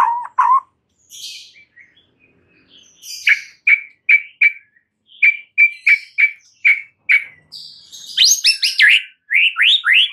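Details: White-rumped shama song played as lure audio to snap a stressed bird into vigorous singing: a low double whistle, then a run of sharp notes repeated about twice a second, ending in bright rising, buzzy phrases.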